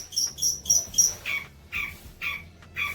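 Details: Four clear, high whistled notes from a long-tailed shrike, part of training song for young birds, followed by four lower, harsher calls at an even pace.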